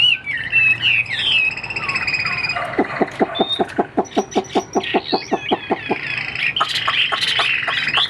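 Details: Chinese hwamei opening with wavering whistles, then a long rhythmic series of short clipped notes about three per second, closing with loud varied whistled phrases.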